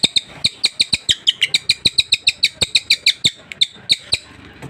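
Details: Sultan tit, newly acquired and kept in a cage, sings a lively stream of high, sharp chirps, about five per second, that thin out toward the end, with clicking knocks.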